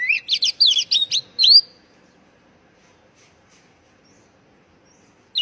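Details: A burst of quick, shrill, rising and falling notes from an Oriental magpie-robin, given as a lure for stressed young birds that have stopped singing, followed by silence.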